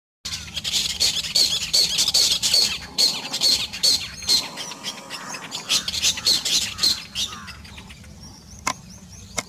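Spotted owlet giving harsh, screechy chattering notes in rapid bursts, high-pitched and scratchy, with a brief pause before another run.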